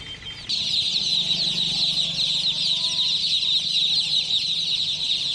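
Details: Chicken chicks, many together, giving a dense, unbroken chorus of high, thin cheeping peeps that overlap into a steady shrill wash; a brief quieter start before the full flock chorus rises.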